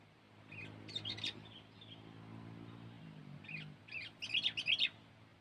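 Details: Sooty-headed bulbul used in bird luring, scattered high chirps early, then a rapid cluster of sharp twittering notes near the end, with a droning low hum throughout.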